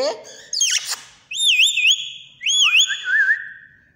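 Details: A tame pet green rose-ringed parakeet kept at home gives a brief burst of speech-like chatter, then two clear, high, wavering whistles, each about a second long, ending in a lower warble.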